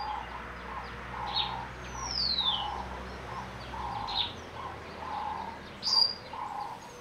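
Lesser Honeyguide giving a steady run of low, hollow notes, about one every two-thirds of a second, with higher chirps and a falling whistle from other birds.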